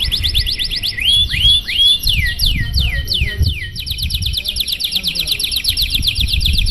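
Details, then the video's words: Domestic canary delivering a long, lively, luxurious-style song meant to spur other canaries into singing: rapid high repeated trill notes, a run of loud downward-sweeping whistles, then a continuous fast, bright trill to the end. "Suara Burung Kenari GACOR PANJANG Gaya Mewah! Buat memancing Suara Kenari lain Agar IKUT GACOR"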